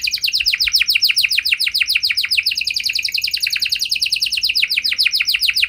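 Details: Nonstop canary singing, played to get other canaries to reply: a fast, rolling trill of high, downward-sweeping notes, very even in rhythm from start to finish.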